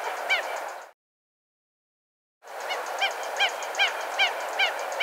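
Red-gartered Coot giving short, nasal, honking notes, about two or three a second, over a steady rushing background; a brief silence breaks the sequence early on.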